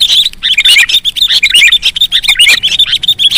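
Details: Young sooty-headed bulbul (kutilang) calls in a new lure mix: dense, loud, overlapping chattering chirps with quick rising and falling twists, almost continuous and hurried.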